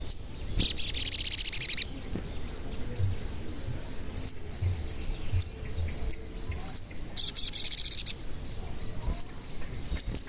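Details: Crimson sunbird (sogon), a lively bird recorded as a lure to make other sogon sing and get agitated. Sharp high chips in the cuit cuit style come at irregular intervals, with two fast, bright, buzzy trills lasting about a second each.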